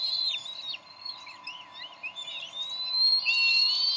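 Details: At the Decorah nest, 30 May 2012, the bald eagle parents quarrel over a delivered fish; rapid high, squeaky chittering notes tumble together, swelling into a louder run of piping whistles at the end.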